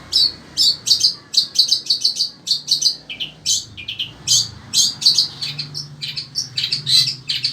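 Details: Sembur-type long-tailed shrike kept as a pet in Indonesia, singing steadily in strong heat; a lively, varied run of high chirps and squeaky notes in quick clusters with short pauses, over faint low hum.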